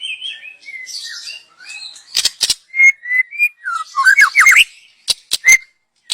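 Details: Young wild white-rumped shama, song used as a lure: varied warbling and whistled notes broken by sharp loud clicks, with rising slurred whistles near the middle and a final series of snapping ticks.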